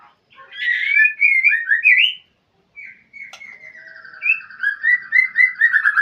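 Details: Caged white-rumped shama calling a rival: a fast run of varied whistles, a short pause, then a long sweet warble of repeated rolling notes that grows louder toward the end.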